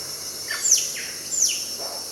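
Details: Dusky Broadbill in Sabah, Sandakan, Borneo: two loud, shrill notes about 0.7 seconds apart, each sweeping sharply downward from very high pitch, then a fainter third note, over a steady hiss of insects.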